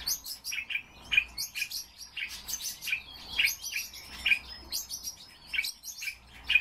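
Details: Captive common starling in song, a stream of crackly clicks, rattles and thin squeaks in short bursts with brief gaps, fairly irregular pacing over a soft low hum.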